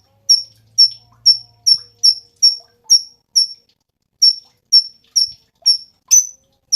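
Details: Very vocal Cungkok tutor recording for training cage songbirds: piercing short chip notes at a steady high pitch, roughly two per second, with a brief pause midway before the series resumes.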